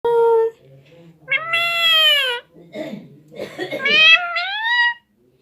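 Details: Pet parrot, nine months and nineteen days old, said to talk in Hindi: loud, drawn-out nasal cries about a second long with rich harmonics, arching and then rising, beside a quieter human voice speaking Hindi in the background.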